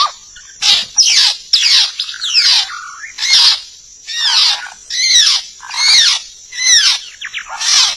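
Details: White-rumped shama sound used as a lure for trapping birds: loud, harsh, scratchy notes that sweep downward, given in separate bursts roughly every second, with a steady high hiss behind.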